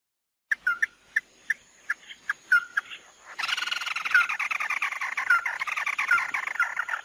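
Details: Mắt đỏ bird lure recording: a series of sharp, separate chip notes, some with short downslurred whistles, then a dense, loud, continuous chattering trill from mid-clip onward.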